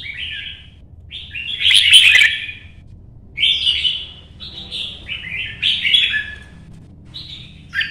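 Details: Red-whiskered bulbul, a kept bird running the perches, sings its competition song: short, slurred, fluty phrases, one loud burst early, then quicker chirpy series near the end. A low background rumble is audible.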